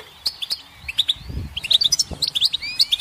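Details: Goldfinch giving sparse, sharp high chirps that quicken into a denser twittering phrase, with a soft low rumble midway.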